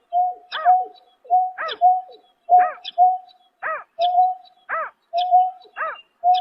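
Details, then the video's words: Greater painted-snipe at night, March 2024, giving a regular series of calls. Each is a flat, even tone followed by a rising-then-falling hooting note, about seven pairs in quick succession with no other sounds. "Tiếng Chim Nhát Hoa Đánh Đêm Vụ Tháng 3 Năm 2024"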